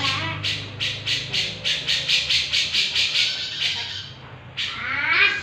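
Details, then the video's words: Cucak jenggot, a grey-cheeked bulbul, in lively full song. Rapid, evenly spaced raspy chatter notes repeat for about four seconds, break briefly, then a squeaky rising phrase follows over faint low rumble. "cucak jenggot gacor"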